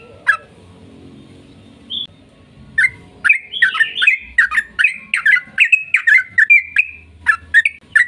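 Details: Yellow-vented bulbul lure song in long-rolling 'ropel panjang' style, meant to provoke other bulbuls into singing: a few isolated notes over low background hum, building into a steady rapid series of sharp, slurred whistles.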